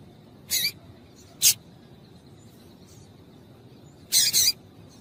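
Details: Female double-collared seedeater call used to stimulate and warm up males so they sing: short, bright, high-pitched chip bursts at about 0.6 and 1.5 seconds, then a quick doubled burst near 4.2 seconds, over a quiet background.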